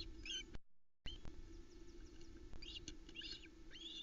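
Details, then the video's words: Osprey family at the Loch Arkaig nest camera, Arkaig Community Forest, calling as the male delivers the third fish of 7 July 2020. Faint clusters of high chirps with a low steady hum and a brief gap. "Louis the Loch Arkaig Osprey is mobbed when he arrives with fish number three"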